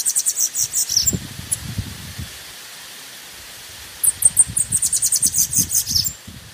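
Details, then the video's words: Bananaquit singing to warm up other birds: two brief bursts of rapid, very high, thin notes separated by a pause, with low rustling sounds underneath. "CHAMO DE SIBITE COM CANTO PRA ESQUENTA"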